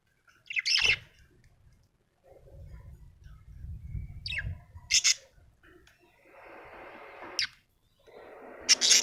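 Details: Budgerigar chirping happily, giving short, sharp, high tweets at irregular intervals, about four quick bursts, some doubled, with a soft rushing hiss and low rumble between them.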